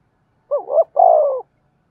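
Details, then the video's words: Spotted dove calling to prompt decoy doves into cooing, its voice in the 'thổ' style: one phrase of two quick wavering notes followed by a long, steady, slightly falling coo, in quiet surroundings. "cu gáy kích bổi nhanh nổi gù, tiếng chim cu gáy thúc"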